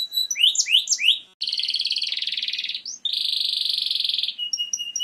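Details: Canary in song: a few swooping rising notes, then two long buzzing rattling trills broken by a brief upslurred whistle, closing on short repeated high pips.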